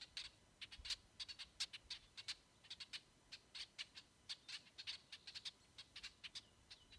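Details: Brewer's Blackbirds giving a dense series of short, sharp, high chips, roughly five per second at uneven spacing and varying loudness, some overlapping, over a quiet background.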